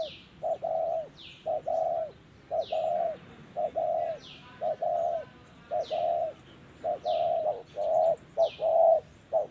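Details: Spotted dove, a wild ground bird lured by a decoy, cooing in the 'thổ' voice. Steady runs of low, rounded coo notes fall in pairs and single hoots. Other birds give regular high, falling whistles in the background.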